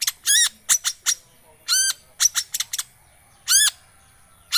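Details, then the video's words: Long-tailed shrike lure call for a silent bird: loud, drawn-out arched screeches in bursts, mixed with short harsh clipped notes, a high steady tone running underneath. "Pancingan Cendet Macet,putar 1detik dijamin pasti ikut gacor"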